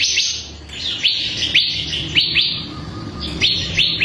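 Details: Bar-winged prinia (ciblek kristal) singing on a tutor recording for cage birds: a steady series of bright, high, upswept chirps, roughly two to three per second, with low hum faintly beneath.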